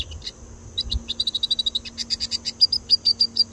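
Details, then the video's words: Red siskin (Carduelis cucullata, Venezuela) giving a rapid run of high, thin chirps and twittering notes, about three per second, ending in sharper whistled chips, over a faint steady hum. "Cardenalito de Venezuela 🇻🇪 carduelis cucullata"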